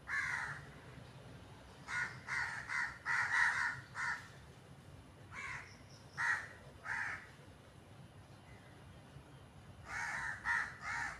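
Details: Several crows making noise: harsh, hoarse caws in quick bursts, a lone call, then clusters of five and three, with a short pause between groups and faint background hiss.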